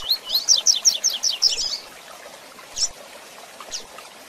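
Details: Tui Tui Zel Zel song of a double-collared seedeater, mixed with female chirps for handling: a rapid run of about eight high, sharp, rising notes, then two isolated chirps after a pause.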